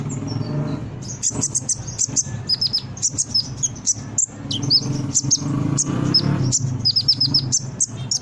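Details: Brown-throated sunbird (konin) singing energetically, recording used to prompt young birds to respond: dense high thin chirps and short falling whistles in quick clusters, some rising slurs, with a continuous low background hum throughout.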